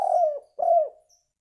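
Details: Spotted dove cooing, used to attract birds for trapping: two separate drawn-out hoarse coos, each slowly falling in pitch before fading.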